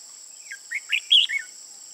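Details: Trapping decoy Red-whiskered bulbul, an old bird with red eye-rims on both sides, 15 June 2018; one lively phrase of five slurred notes stepping upward to a loud bright peak and falling away, steady insect hum throughout.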